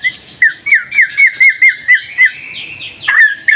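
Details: Repeated phrase from a White-rumped shama used as a lure: about nine clear, looping whistled notes, about four each second, then a sharper downward-swooping note, over a faint steady high tone.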